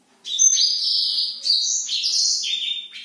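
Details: A black-throated canary singing hard at night. Sustained high whistles waver and step between pitches in a smooth, continuous warble lasting about three seconds.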